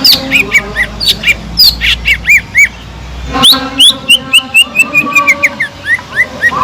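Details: Caged Sumatran leafbird in full song, used as a lure to rouse other leafbirds that lack fighting spirit: loud clear whistled notes, arched and rising-falling, delivered in quick repeated runs with a brief pause midway and low hum beneath.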